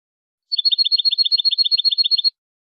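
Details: Goldfinch song used to teach young birds, called the best in the world without mistakes: one rapid, evenly spaced high trill of roughly twenty-five sharp notes lasting under two seconds, otherwise silent.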